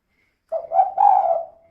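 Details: Lure call of a female spotted dove, 'kuk 2' style, meant to get other birds singing fast; a quick soft coo slides into a long, sustained coo that fades away.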